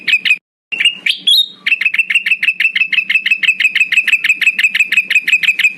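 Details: Male Black-headed bulbul giving a lure call to draw rivals: an opening sharp burst, a short silence, high whistled notes, then a long, even stream of fast clipped notes.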